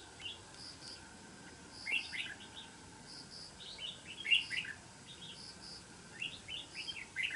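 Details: Wild red-whiskered bulbul fighting at a decoy trap: short bright chirping phrases, quick rising and falling notes, in bursts every two seconds or so, over steady soft hiss and a faint repeated higher note.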